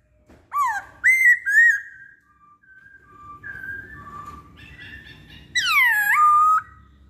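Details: Poksay Hongkong, the masked laughingthrush, singing on a lure recording. Three loud, rising whistled notes come first, then quieter level whistles, and finally a long, full, down-swooping whistle.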